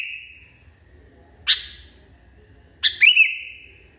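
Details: Sooty-headed bulbul in an agitated state, a fading whistle, one isolated sharp chip, then a full phrase of rapid notes running into a steady whistle, over faint low hum.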